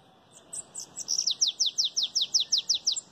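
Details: Bananaquit song in the belga chapado style. A few high chips give way to a clean train of about twelve sharp, down-slurred notes repeated at an even, rapid pace, ending on a short high note.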